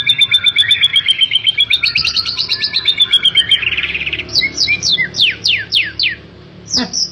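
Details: A 'super' white-rumped shama, valued by hobbyists for its aggressive, nimble delivery, sings a long rapid trill of high clear notes that rises and flattens, followed by a run of steep downward-sweeping whistles and a final sharp note.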